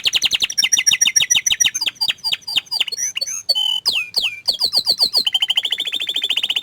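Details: Shy canary delivering a varied song: quick buzzy trills, then scattered slurred whistles and downward sweeps, finishing with a very rapid, steady high trill.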